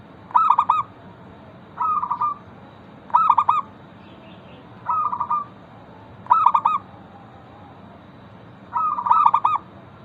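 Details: Local zebra dove repeating its lure song so that other zebra doves reply. Six cooing phrases about one and a half seconds apart, alternating staccato stuttered notes with smoother purring trills, against a faint steady hum.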